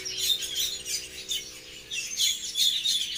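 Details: Birds tweeting in quick, high, bright chirps. The bursts rise and fall roughly every half second in an uneven, lively chatter.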